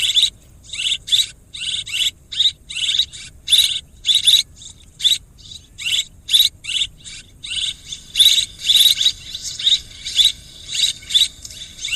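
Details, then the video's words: Swiftlets twittering in a long, busy run of short, shrill chirping bursts, closely spaced and sometimes overlapping, over a steady low hum. "ສຽງນົກແອ່ນ ຄໍເລດ Tiếng én, Tiếng Chim Én เสืยงนกแอ่น คอเลด"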